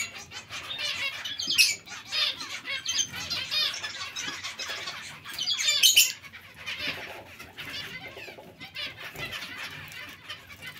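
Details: Many zebra finches in a colony chattering with rapid nasal chirps and squawks, with louder bursts around the start and middle, then thinning toward the end.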